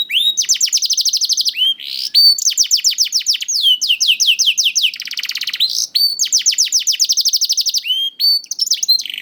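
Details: Young canary song played to coax silent canaries into singing, made of fast rolling trills of sweeping notes in repeated phrases separated by brief gaps, bright and loud throughout.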